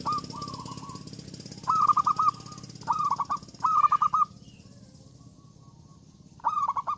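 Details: Loud, actively singing zebra dove calling out to rivals: clear phrases of rapid rolling coos, each trailing into a level held tone, five bursts with a long pause before the last, over a low humming background.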